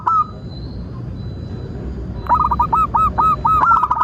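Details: Local zebra dove singing as a lure for trapping and tutoring birds: after a brief coo and a pause, a long run of evenly spaced, soft rolling coos, about two per second, ending in a quick bubbly flourish.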